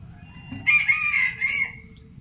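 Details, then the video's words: Rooster crowing in the morning, one bright strained cock-a-doodle-doo in several linked syllables, held high then dropping at the end, over steady low background rumble. "Rooster calling in the morning | Rooster crowing sounds"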